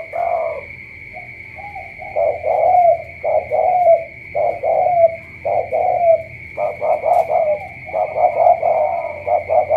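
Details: A spotted dove from Cà Mau cooing insistently: a chain of throaty double coos with rising tails, quickening near the end into shorter clipped notes, over a persistent high electronic whine.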